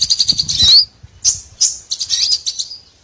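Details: Lure call for trapping small birds: high buzzy chatter with one rising whistle, then short separate twittering bursts.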